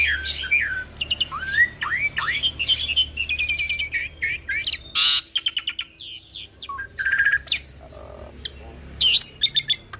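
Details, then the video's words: Hybrid of Asian pied starling and Nias myna, played as a master song to get pied starlings singing: a varied, rambling song of clear rising whistles, sharp squawks and rapid rattling chatter, pitched high, over a faint low hum. "Ocehan Jalak Hybrid ASSU - Jalak Suren X Jalak Nias"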